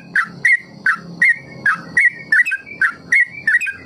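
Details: Trucukan (Yellow-vented Bulbul) ropel song used as a learning lure for other birds; short fluty whistles in quick pairs, evenly spaced, with a thin steady high background tone.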